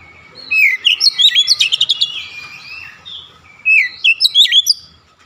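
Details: Oriental magpie-robin in a "nembak" (shooting) song display, delivering rapid, varied, loud whistled and slurred notes in fast sequences, with a brief dip before a second volley.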